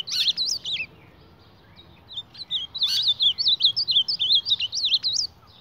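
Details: Ultramarine grosbeak squaring off against its reflection, producing fast bursts of twisting high whistles, a gap, then a longer rapid string of warbled notes punctuated by sharp clicks.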